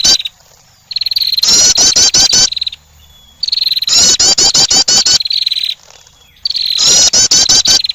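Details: A wren, said to be a female calling to attract, gives loud, very high bursts: a thin steady whistle breaking into a fast rattling trill, repeated three times about every three seconds.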